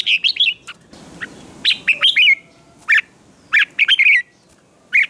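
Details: Red-whiskered bulbul in morning song for contest training, giving lively phrases of warbled, rising and falling whistles, several short bursts broken by brief silences, with a faint hiss between phrases.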